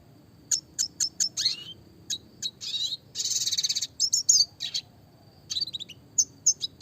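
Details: Classic red siskin song for songbird training, clear-voiced: rapid high chips, downward-sweeping notes, a dense buzzy burst near the middle, then further scattered chirps over a constant thin whistle.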